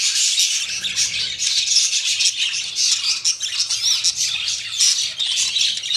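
Budgerigars give a continuous high chattering warble of chirps and squawks during courtship.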